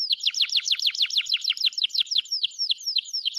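A canary sings a fast, steady run of high, downward-sweeping chirps, roughly three each second, bright and clear with no other sounds.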